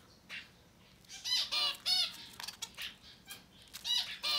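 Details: Rapidly growing society finch nestlings, up to ten days old, give a quick, rough chorus of raspy, buzzing cheeps that overlap in dense bursts and rise and fall in loudness.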